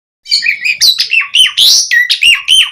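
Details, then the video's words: Javan pied starling singing energetically in a pumping style, used as a lure to get other starlings singing: a dense run of loud, clear whistled and chattering notes, some sliding upward, with rapid bursts and almost no pauses. "Suara Kicau Jalak Suren Gacor Mompa buat Pancingan OCEHAN semua Burung Jalak Agar Gacor Full Isian"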